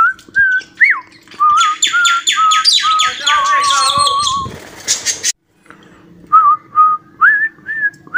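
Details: Cockatiel imitating the song "Johny Johny Yes Papa": a few wavering whistled notes, then a rapid run of harsh repeated chattering calls, a short pause, and more soft rising whistles.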